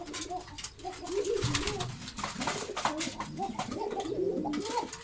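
Pigeons coo in low, throaty, rolling phrases that overlap throughout, several birds calling at once in a small echoing room.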